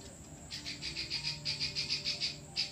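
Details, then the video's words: Klik-klik bird singing a continuous besetan run meant for training other birds: a quick series of bright, high clicks, regularly spaced and slightly swelling, with a further click starting as the series ends; soft low hum beneath. "Burung Klik Klik Full Besetan"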